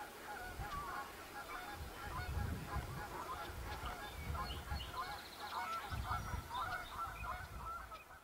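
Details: A flock of wood ducks pairing off gives a dense chatter of short, squeaky, slightly nasal notes that run on continuously, layered over low rumbling wind or handling noise in waves.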